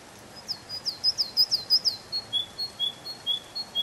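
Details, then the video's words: A canary sings in a spring forest with a fast run of bright, sliding chirps, then slower, lower piping notes spaced evenly. "Пение канарейки, канарейка поет в весеннем лесу"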